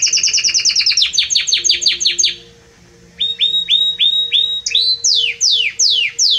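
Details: Belgian canary singing strongly: a rapid trill of high chips, a short pause, then a row of rising hooked notes followed by loud downward-sweeping whistles.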